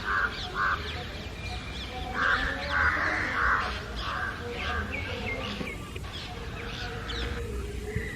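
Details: House crows mixed with jungle crows harassing someone from the air; scattered harsh caws, some louder and closer, others distant, in an uneven chorus.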